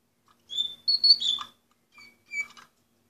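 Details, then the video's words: Orpheus canary, 2014: a brief fragment of high whistled notes, one long sliding note then a few short faint chirps, with quiet pauses between. "canary orpheus"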